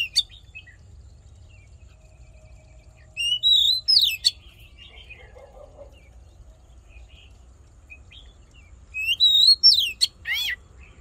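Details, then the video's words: Voice-training fighting song of the Oriental magpie-robin, used to excite males: two brief bursts of high, twisting whistles and sharp notes, about six seconds apart, with near silence between them. "Hót Đấu Kích Trống Căng Lửa || Luyện Giọng Chòe Than"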